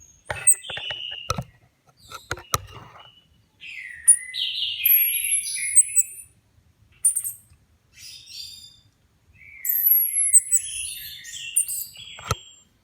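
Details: Caged Orange-headed Thrush, about two months after finishing its moult, assessed at home alongside others, sings quick, varied phrases of sweet whistles and high trills, with a few sharp clicks and knocks between bursts.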